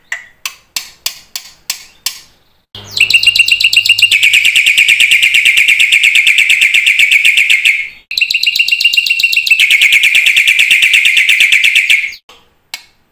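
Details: Black-winged myna song meant to stimulate other mynas that have stopped singing: several sharp, separate chips, then two long, dense, buzzy chattering trills, each several seconds, with a low hum beneath.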